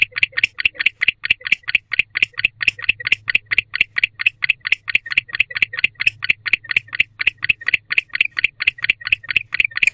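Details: At an owl box in autumn darkness, a male barn owl calls to his mate with an unbroken train of harsh, buzzy pulses, evenly spaced at just over two per second, with a low hum beneath.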